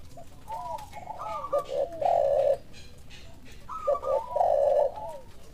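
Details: Spotted dove answering a lure call: two coo phrases, each a few soft lower notes rising into a loud, drawn-out, slightly falling coo, the second about three seconds after the first.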